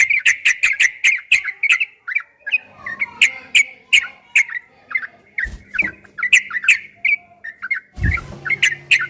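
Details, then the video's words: Bulbul masteran, long ropel style, yellow-vented bulbul: very fast chirps about nearly three a second at first, then looser bubbly phrases, with a brief noisy burst and a thump near the end. "Suara burung trucukan MASTERAN TRUCUK ROPEL 2023 TERBARU ‼️PASTI GACOR, TRUCUKAN ROPEL PANJANG"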